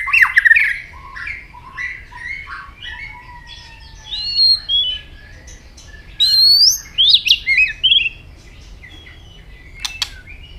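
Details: A white-rumped shama in early breeding heat sings a fighting song as it hops, with tail snapping. It gives a varied sequence of whistles, some low and some high, sliding and rising, in several separate bursts.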